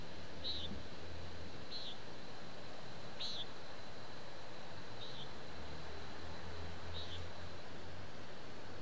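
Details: Common nighthawk calling in town, recorded with a parabolic microphone: short nasal, buzzy peent notes at a high pitch, repeated every one to two seconds, five in all, over a steady low rumble of town noise.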